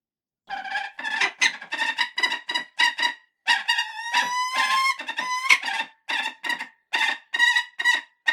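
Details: Falcon giving a long run of harsh screeching notes, mostly short raspy bursts in rapid series, with a drawn-out whining stretch in the middle.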